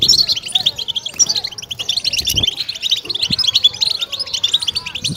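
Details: Goldfinch batbata chatter, used to stimulate kept birds: rapid high tinkling notes and short buzzy phrases densely overlapping, with a few sharp clicks and low thumps scattered through.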